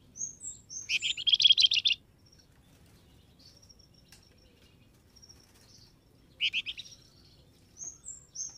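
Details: Lure call of a flamboyan bird, meant to make wild birds answer. A quick, high, buzzy rattle lasting about a second, a long quiet stretch, then a shorter chirping burst and thin high notes.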